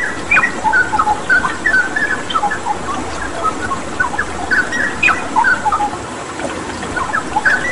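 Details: Gacor song of a cucak rawa (straw-headed bulbul) over water therapy sound: quick chattering sequence of bright whistled notes, about three per second, in uneven bursts, with a continuous hiss of running water.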